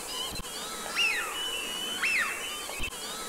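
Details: Eurasian wigeon (Mareca penelope) in the Aiguamolls Natural Park, Catalonia, on 25 January 2022, gives clear whistled calls that rise then fall, about one each second, over steady hiss and a couple of soft knocks.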